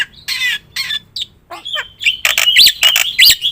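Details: Black-winged myna in full lively song, meant as a lure and tutor recording: irregular squawky bursts and a drawn whistle, then harsh notes mixed with sharp upswept arched whistles near the end.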